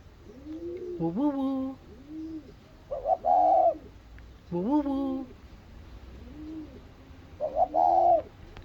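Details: A spotted dove, after seeing its mate, mixes deep, rising, harmonic-rich coos with two loud, rough, flat notes, against soft, low background coos.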